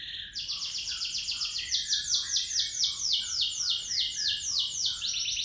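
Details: Local canary with a long rolled song used as a lure: a fast, steady series of high swept trills repeated about four times a second, with softer lower notes underneath and faint background hiss.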